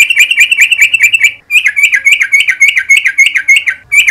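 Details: In the morning, a Sooty-headed bulbul sings a fast, bubbling run of chirpy notes, several each second, in a long rolling chatter with one brief break. It is used as a lure sound to prompt long trills.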